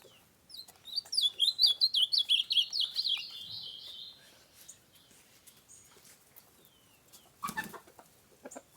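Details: Bananaquit (sibite) recorded in Itaitinga, Ceará, Brazil: a high, thin, rapid buzzy trill of sharp repeated notes lasting about three seconds, followed by faint background chirps and a brief noise burst.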